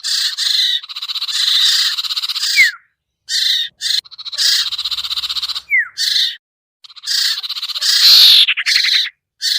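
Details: Common iora lure call, known as sirtu, to bring down hard-to-lure birds: long buzzy chattering runs broken by two falling slurred notes and a short fast trill.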